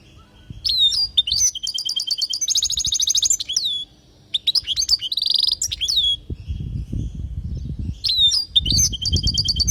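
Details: Palestinian European goldfinch giving a long training song for young goldfinches: rising whistles, stretches of rapid buzzy trilling and high twittered phrases, one short pause, with low rumbling background noise in the second half.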